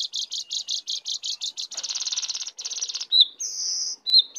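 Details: Wild lesser shortwing coming in to attack: rapid series of high buzzy notes about eight per second, then a denser rattling run and thin drawn-out whistles.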